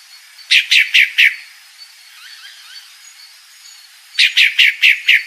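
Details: Female pale-breasted thrush calling: a quick burst of four bright, slightly descending chirps, a pause of about three seconds, then a second burst of five matching notes, with faint soft chatter in between.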